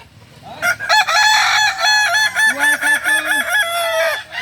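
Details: Balenggek rooster at a practice crowing contest in Ampang Kualo, Kota Solok, giving one long, loud, ringing crow that steps through many linked syllables, with a lower drawn-out segment midway; just before, a man calls out a string of numbers.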